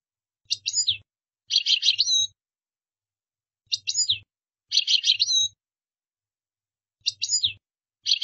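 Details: European goldfinch singing in short bursts: a sharp buzzy twitter followed by a jangling trill, repeated roughly every three seconds, with faint low hum beneath.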